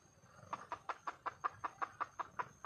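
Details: Red junglefowl hen in the wild calling to attract a male, giving a steady series of eleven short clucks roughly every fifth of a second, with a faint constant high hum behind.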